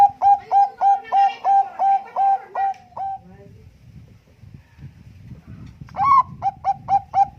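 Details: Bangkok-type zebra dove, singing persistently with competition-quality cooing meant as a lure: a fast run of short, even coo notes about three per second, a pause of soft low rumble, then the series resumes.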